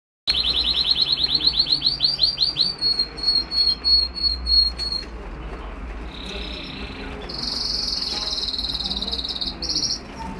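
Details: Canary from a home breeding aviary, March 2008, singing a fast series of high repeated notes that slows into spaced chirps, then a long steady whistled tone over low background hum.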